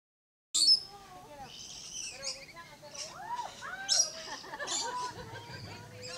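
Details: Rainbow lorikeet vocalizing on a tree at Lion Country Safari, Florida: harsh, grating screeches in short bursts, mixed with softer squeaky, warbling chatter that rises and falls throughout.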